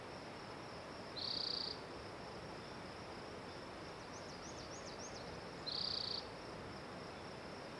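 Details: Spotted towhee song with two high buzzy trills about four and a half seconds apart, each roughly half a second long. Faint scratchy high notes fall between them against a constant shrill background hiss.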